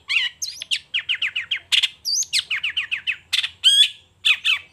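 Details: Long-tailed shrike in full morning song, displaying its repertoire: quick series of descending slurred notes repeated in runs, mixed with buzzy bursts and an upward-swept whistle.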